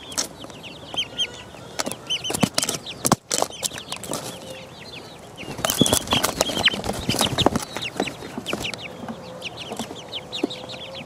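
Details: Chicks aged four weeks pecking around, with frequent loud pecking taps and scratching noises mixed with lighter, high, slurred peeps repeated through the recording.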